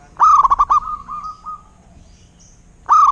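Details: Zebra dove, local perkutut, with one burst of five or six quick, bubbling coo pulses, a fading drawn-out tail of softer notes, and a fresh phrase starting at the end.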